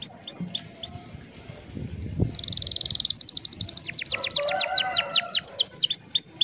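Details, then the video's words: High sweeping notes open a young canary's song, then a dense buzzy trill and a fast run of repeated downslurred notes follow; a lower warbling strand joins near the end. The long roll serves as a lure for other young canaries. "PANCINGAN KENARI PAUD NGEROLL PANJANG"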